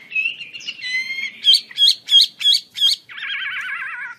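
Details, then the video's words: Chinese hwamei song: loud, varied phrases of sliding whistles, then a run of five sharp, ringing notes about three per second, ending in a fast warbled trill. "KICAU HWAMEI"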